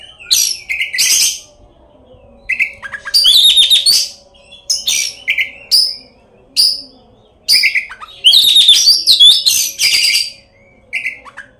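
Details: Oriental magpie-robin singing as a lure to make other magpie-robins sing and fight: varied loud phrases of harsh rattles, sharp high notes and fluty whistles, delivered in irregular bursts with brief pauses between.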